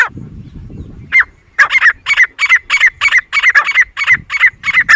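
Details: Grey francolin calling: loud, harsh notes repeated in a fast, steady series, about three per second, after a short stretch of low human voices and laughter at the start.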